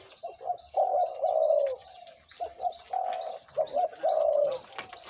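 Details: {'caption': 'Two-to-three-year-old decoy Spotted Dove in a cage, cooing in its big, middle and small voices. Low, rolling coo phrases, each a couple of quick notes and then a long sustained falling coo. Faint high twitters from other birds sit in the background.'}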